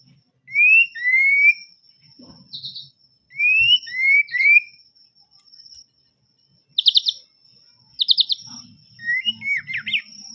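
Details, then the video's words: Melodious white-rumped shama song: clear upslurred whistles around the middle pitch, repeated in pairs, then short rapid buzzy bursts and a closing warbled flourish, over a steady faint high whine and scattered low thumps. "yang dengar langsung nyaut emosi murai batu l melodious singging"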